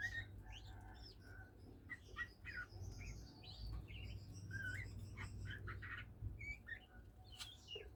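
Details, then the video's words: Kept oriental magpie-robin starting to sing: quick chirps, slurred whistles and squeaky notes in uneven bursts, set against a strong low rumbling hum throughout. "kacer mulai bunyi"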